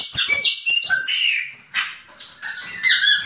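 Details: Yellow-legged thrush in song, with a quick sequence of sharp high chips, buzzy strokes and a held whistled note, varied and uneven in rhythm.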